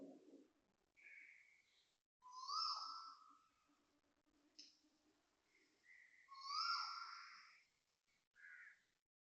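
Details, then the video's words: An Asian koel gives two loud, rising whooping calls about four seconds apart, with softer short notes from other birds between them, at 6:43 am on 20 December 2025 at Toa Payoh Lorong 8, Singapore. "Loud koel noises"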